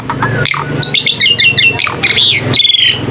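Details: Asian pied starling singing as a lure to prompt other birds to respond; busy chattering phrases of short squeaky notes and whistles over a constant low background hum.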